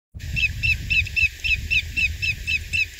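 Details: Greater yellowlegs, recorded 23 April 2021 at Coquille Valley Wildlife Area in Coos County, Oregon, gives a steady run of clear, slightly rising whistled notes, about four per second, over low wind rumble.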